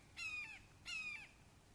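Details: Red-shouldered hawks at a nest in Wake Forest, 29 May 2023 at 08:38, father bringing a frog to a fledgling; two harsh, harmonic, slightly down-slurred calls about 0.7 seconds apart over a soft steady hiss.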